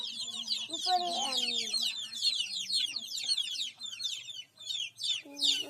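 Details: Baby chicks giving a steady flurry of high, sharp descending peeps, many birds calling at once, with lower clucking sounds and a brief tonal beep near the end.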